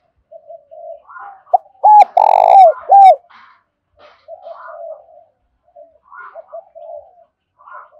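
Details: A decoy spotted dove with the Hạp Bổi voice style coos to call in wild doves. Soft low coos precede a loud phrase of hooked notes around one long, rich coo. Gentle scattered cooing continues afterward.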